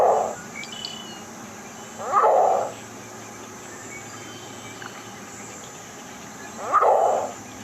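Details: Shorebird and waterbird quiz playback of a green heron, whose voice one participant thought resembled a dog: three gruff, rasping squawks, the first at the start, then about two seconds later, then a longer pause before the last, with quiet hiss between.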